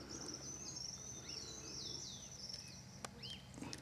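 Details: Horned sungem at São Desidério, Bahia, northeast Brazil, December 2012: thin, high chips and short arched notes given irregularly over a steady, high insect drone.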